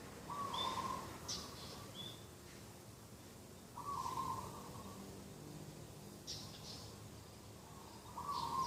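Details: Morning garden-edge dove, 2 October 2021: three or four vibrating, buzzy coos spaced roughly three seconds apart, with high whistled notes and chirps from other birds between them.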